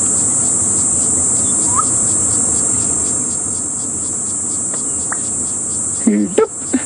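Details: Black-bellied bustard at Djuma Game Reserve, South Africa, on a December afternoon drive, calling to attract mates in breeding season: a brief low burst ending in a sharp pop like a champagne cork, over steady high insect trilling.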